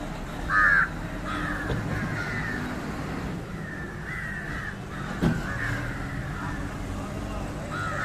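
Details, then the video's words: One loud, rasping caw opens, followed by softer drawn-out caws from an Indian jungle crow (Corvus culminatus) feeding on fish, with a short click midway and steady low background noise. "Indian Jungle crow (Corvus culminatus) Call and behavior feeding on Fish"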